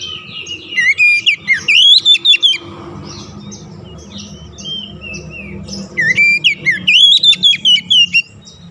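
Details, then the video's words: Oriental magpie-robin lure song for getting stressed birds back into song: a rapid burst of looping whistles, a quieter middle section with low rumbling background, then another fast run of sweeping notes. "KICAUAN PEMIKAT DAN PERANGSANG BUNYI | Kacer stres macet bunyi langsung gacor"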